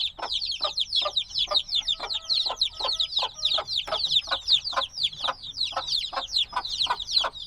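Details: Newly hatched black chicks in a binaural field recording. Their calls are high, thin, sliding-down peeps repeated rapidly by many birds in an almost unbroken overlapping chatter.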